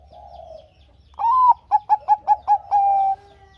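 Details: A soft low coo, then a full phrase from a Bangkok-type zebra dove: a rising coo, five crisp staccato notes and a long level coo. The song serves as a lure to make idle doves sing.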